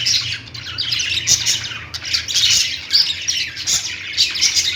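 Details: Lovebird singing: nonstop, bright squeaky chatter with harsh little squawks, dense and loud, briefly dipping then rising again.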